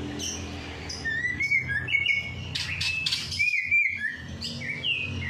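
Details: Singing bird used as a stimulus for a lazy bird after its evening bath: flat and gently bending whistled notes strung together, with a brief burst of harsher chatter midway and a low hum underneath.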